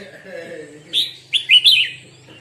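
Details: Red-whiskered bulbul at morning song practice, one brief whistled phrase of three or four slurred notes after a quiet stretch with low background murmur.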